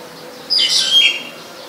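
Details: Black-collared starling recorded in Ubon Ratchathani, Thailand, on 12 July 2020: a single harsh, squawky burst lasting under a second, grating and broadband, with one thin whistled note at the start and a quiet background.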